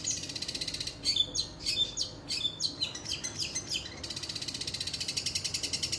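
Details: Long-tailed shrike (cendet) giving mimicked phrases of other birds, rajagetar then woodpecker: fast, even, high rattling ticks open and close the passage, framing a burst of varied sharp, high chirps and squeaky notes.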